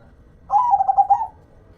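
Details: Zebra dove, a local hobby bird, giving one short rolling coo: rapid tremulous pulses at even pitch, ending with a slight lift, lasting under a second in quiet surroundings.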